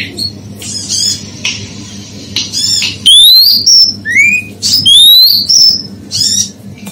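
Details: Female oriental magpie-robin calling to provoke males into agitation: scratchy buzzy bursts over the first three seconds, then loud clear whistles sweeping upward and holding high, repeated in quick succession over a steady low hum.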